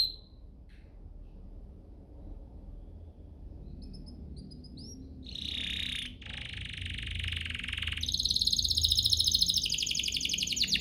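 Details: Domestic canary song used as a lure to set other canaries singing; quiet low hum for five seconds, then a loud steady trill near mid pitch and a dense high buzzy roll in the final seconds.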